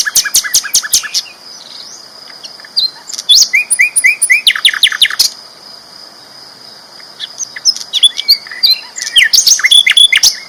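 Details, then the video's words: Energetic song from a champion sikatan londo flycatcher: fast trains of sharp high chirps, a run of short buzzy notes, and warbled phrases above a steady whine. "BURUNG SIKATAN LONDO GACOR ISTIMEWA KERAS LANTANG"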